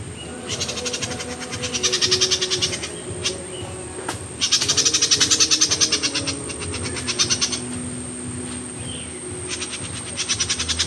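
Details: High, dry chipping notes from a myzomela, recorded 25 December 2022, come in several runs of rapid repeated ticks with brief gaps, accompanied by a steady electronic-like hum.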